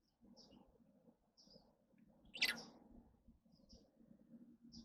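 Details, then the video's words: Lovebird calls: short, thin, high chirps spaced about a second apart, with a single loud, harsh, rasping screech bursting out midway against a low murmuring background. "Love birds Sounds"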